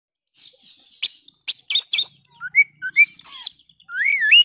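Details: Kacer (Oriental magpie-robin) song, called outstanding and lively, used to coax a silent bird into singing: harsh buzzy bursts open the phrase, then clear rising and falling whistles end in a long, wavering slurred whistle.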